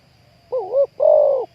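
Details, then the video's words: Spotted dove used to lure wild doves into a trap: a single low, hollow two-part coo, the first note wavering and the second held steady, over a faint low hum. "ต่อนกเขาใหญ่ วันนี้จับนกป่าคูอ่างเสียงใหญ่"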